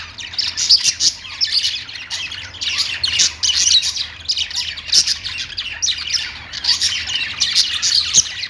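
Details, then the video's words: Pet budgies chirp nonstop, mixing rapid warbled twitters with occasional clicks and sharp squeaks in busy, overlapping chatter. "budgies birds noises | parakeet chirping sounds"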